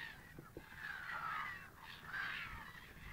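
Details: A male American x Eurasian wigeon hybrid at Lille Vildmose, Aalborg, Denmark, on 10 April 2013 gives two drawn-out, wheezy whistled calls about a second apart, over a soft rushing background with a couple of low knocks.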